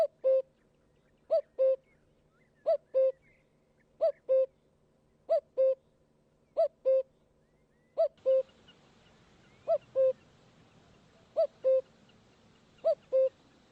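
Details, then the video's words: A cuckoo gives its falling two-note 'cuck-oo', repeated about every 1.3 seconds, with a faint hiss of background noise rising partway through. "The cuckoo sound"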